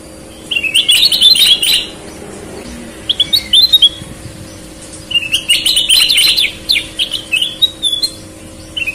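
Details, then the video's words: Lively Sooty-headed bulbul song, red-eyed and white-eyed birds compared: two long bursts of rapid, dense twittering whistles separated by a gap with scattered single chirps, over a faint electrical hum. "Burung kutilang gacor mata merah vs mata putih"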